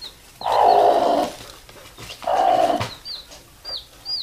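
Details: Mother hen summoning her chicks to sleep with two drawn-out, low, throaty calls, each about a second long, then the chicks' sharp high cheeps.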